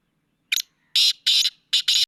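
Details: Grating call of a black francolin: a short clipped note followed by four strong, hoarse, buzzy bursts grouped as two doubles, spanning about one and a half seconds in quiet surroundings.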